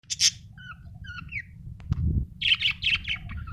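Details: Budgerigar, described as happy, chirping: a bright burst of warbled notes, short rising and falling whistled chirps, then a dense chattering run of clicks and squeaks, over a low steady hum.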